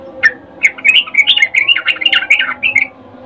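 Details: Breeding call of a female sooty-headed bulbul summoning a male, in the ngecuplik style, used to lure birds into calling. One continuous stream of fast, slurred, chirping notes lasting about two and a half seconds, bright and slightly squawky.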